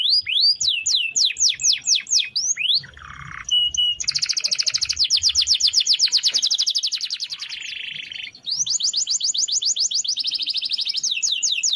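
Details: Canary song with long rolls, recorded for training other birds: repeated sharp descending notes, a short low buzzy burst, then a long, very rapid high trill and further fast rolling runs.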